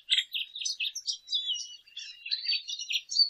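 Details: Brief dense burst of lesser goldfinch song, quick chattering notes and a thin drawn whistle, high-pitched and continuous.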